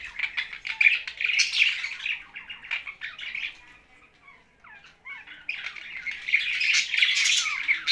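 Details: Budgies and parrots kept together, Larkana, Sindh: busy chattering chirps, a lull of scattered squeaky whistles midway, then a loud, dense burst of squawky chatter.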